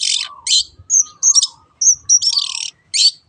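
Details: Long-tailed shrike song used as a lure to make other birds sing: loud harsh rasping bursts alternating with thin high whistles and a low warbled undertone.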